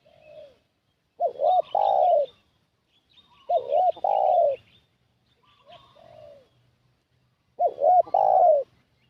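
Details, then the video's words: Decoy spotted dove calling to attract wild doves. Three full phrases come every two to three seconds. Each has a stuttering double note followed by a long, throaty coo. A softer coo falls between them, and faint high twitters from other birds sound behind. "Suara Pikat Burung Tekukur"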